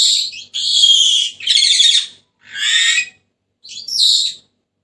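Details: Senegal parrot calling in a string of harsh, buzzy squawks roughly a second apart, with a few shorter sharp notes. The sound is loud and close, with no other noise.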